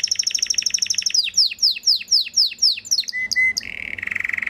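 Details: {'caption': 'Song of a breeding male Belgian canary: a fast even trill gives way to about ten down-slurred chirps, then low flat whistles and a soft buzzy roll.'}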